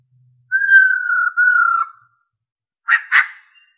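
A female black-throated laughingthrush gives one long, clear, slightly falling whistle. After a short pause come two quick harsh, scratchy notes.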